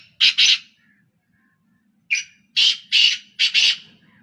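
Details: Kala teetar, or black francolin, one of three calling non-stop: a closing pair of rasping notes, then after a silence a full grating phrase of paired harsh notes, rhythmic and loud.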